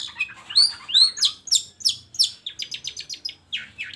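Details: Long-tailed shrike song used to stir lazy shrikes into singing: loud upslurred whistles and sharp squeaky notes, then a quick run of short chips.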